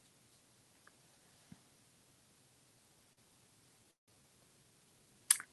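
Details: Near silence with faint hiss, a couple of soft clicks and one sharp knock just before the end.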